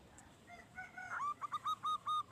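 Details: A local zebra dove in full voice, used to lure other doves: faint, drawn-out tones open the recording before a row of clear, evenly spaced cooing notes repeated about five times a second.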